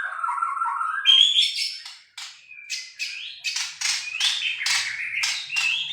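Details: Young Bornean white-rumped shama learning to sing: a varied run of whistled and chattering phrases, some sliding notes and harsh bursts repeated roughly every half second.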